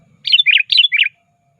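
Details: Sooty-headed bulbul calling a rival, a lure call: two quick bubbly phrases of whistled notes, each falling from high to lower pitch, delivered back to back within a second.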